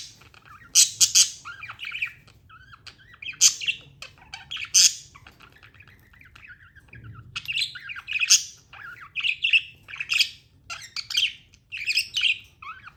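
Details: Pet budgerigars chirping: bursts of harsh, buzzy squawks alternate with rapid, warbling chatter and wavering whistled notes, the louder outbursts coming every second or two, with faint low hum behind.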